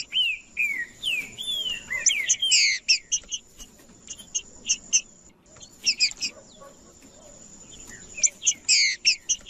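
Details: Green-winged Saltator (trinca-ferro) singing to provoke and heat up other males: opens with a series of looping slurred whistles, then dense high staccato chirps in repeated bursts, with quiet gaps between.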